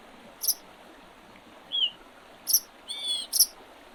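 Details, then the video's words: Spring birds by the Oredezh River in Leningrad Oblast, Russia, 8 April 2023: sharp, very high chirps mixed with a lower whistled slur and a brief warbled phrase, against faint, even background noise. "Весеннее пение птиц"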